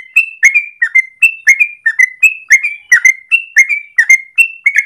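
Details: Morning 'ropel' song of a yellow-vented bulbul used as a lure or master for training. Clear, high, whistled notes come in short repeated groups, with upward slurs followed by brief bubbling chatters, evenly paced.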